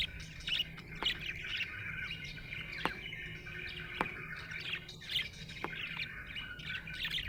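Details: Happy budgerigar chattering with busy high chirps and warbles in uneven runs, broken by a few sharp clicks, over a faint low hum.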